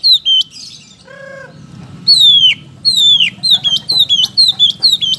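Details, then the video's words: Oriental magpie-robin kept in a cage, in a lively singing bout. Bright downslurred whistles in quick series. A lower, harsh, stacked call briefly interrupts early on. A steady low hum runs underneath. "masteran burung kacer gacor"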